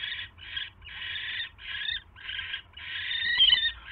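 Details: Barn owl at its nest on 27 January 2016, 7:24 PM, during a mouse delivery; loud, rough screechy hisses of uneven length, the last one rising and strained.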